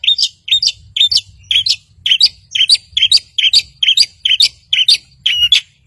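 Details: Long-tailed shrike singing to stir silent birds: a bright chirped phrase of two linked notes, repeated a little more than twice each second.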